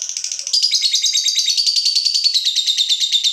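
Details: Caged fighter lovebird, worked up at the sight of a rival bird, giving a continuous shrill buzzing chatter of rapid pulsed notes that grows louder after a brief softer start and runs unbroken.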